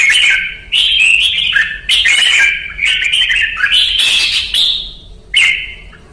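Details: Red-whiskered bulbul (Pycnonotus jocosus), a trained bird, sings loud, rich, bubbly phrases of warbled whistles, each about a second long, given in a quick run over a quiet background.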